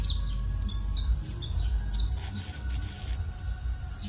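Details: Rough, harsh calls of a konin bird, used as a lure to make silent konin birds sing; short high scratchy bursts and chirps cluster in the first two seconds over a steady low hum.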